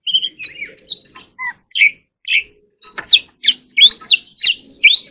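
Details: White-rumped shama singing separate whistled phrases, some low fluty notes, then a faster run of high slurred whistles toward the end.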